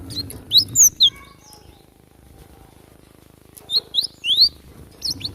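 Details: Java sparrow recorded in the wild while fighting, used as a masteran training recording: sharp, high, slurred chirps in quick pairs and triplets, a short burst early, a quiet pause, then another cluster of bright rising notes.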